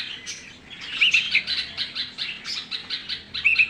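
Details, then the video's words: Young bulbul giving rapid, scratchy chirps in quick bursts, loudest around the middle and end, with a few short whistled notes mixed in; background otherwise quiet. "Baby Bulbul Chirping Sounds"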